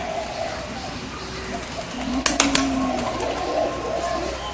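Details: A bird gives a low, drawn-out cooing note in the middle of the clip, with a few sharp clicks just before it, against steady background noise.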